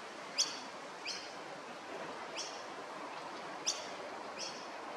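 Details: Juvenile masked lapwing at Maroochydore, Queensland, giving five short, high, sharp peeps at uneven intervals over a steady background hiss.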